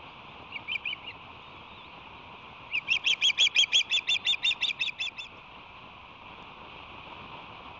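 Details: Osprey at a nest with two nestlings aged five and six days, during their first week, May 17 to 23. Three short whistled chirps, then a quick run of about twelve sharp, evenly spaced chirps over two seconds, over a steady background hiss.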